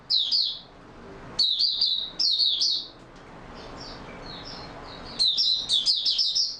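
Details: Oriental white-eye kept in a cage, singing on 28 February 2022: high, fast twittering bursts, a quieter stretch of faint scattered notes in the middle, then a long lively run of rapid chirping phrases at the end.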